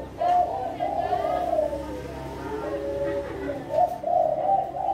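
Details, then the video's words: A breeding zebra dove of the Kelantan type, a competition-class singer, sings a soft, bubbling series of rolling, trilled coos, rising and falling in low, mellow notes, with a faint hum of a small room. "Derkuku Kelantan Gacor"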